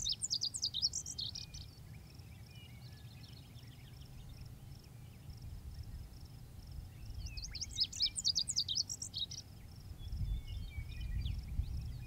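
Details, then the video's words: Male lazuli bunting giving two bursts of song about seven seconds apart. Each is a hurried series of high, varied, tumbling syllables lasting roughly two seconds. Steady rhythmic insect pulses and faint low rumble continue in the background. "Male Lazuli Bunting Singing"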